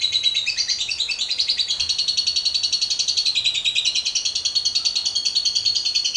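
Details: Lovebird in its long 'ngekek panjang' chattering song, used to lure other lovebirds into singing: a continuous, very rapid and even stream of high, buzzy repeated notes with no pauses.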